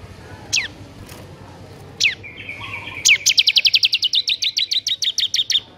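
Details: Bar-winged prinia (ciblek) in 'ngebern gacor' style, used as a tutor recording for prinias that are slow to sing: a few scattered sharp downslurred notes, then a rapid, even string of about twenty high ticking notes.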